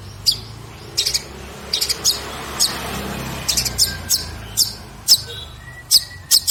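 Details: Song of a long-tailed shrike, recorded in 2022 as elaborate training material for other songbirds. Short, sharp, very high notes come singly or in quick pairs at irregular gaps, over steady background hiss.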